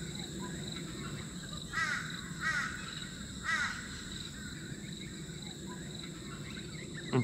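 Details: A Torresian Crow calling at Oxley Creek Common, Brisbane, Australia, on a morning bird walk: three harsh, nasal caws spaced under a second apart, over a steady high insect drone and low background rumble.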